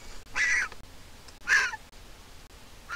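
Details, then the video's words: Griffon vulture nestling in Israel, hatched 22 April 2021, begging as its mother comes to feed it. Two harsh, screechy calls about a second apart, a third starting at the end. "Baby Griffon Vulture begs for food and Mom comes to feed it."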